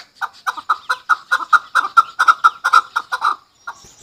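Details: Hunter chakor (Chukar partridge) delivering about fifteen hoarse, clipped chuk notes in quick, slightly uneven succession, grouped in pairs and triplets, then falling silent before one last note near the end.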